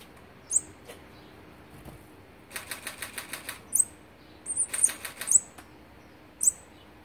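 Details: Olive-backed sunbird feeding its young, on day 16 of feeding, 3 October 2019: brief, very high, thin chirps, about five over several seconds, between bursts of rapid whirring wingbeats close by.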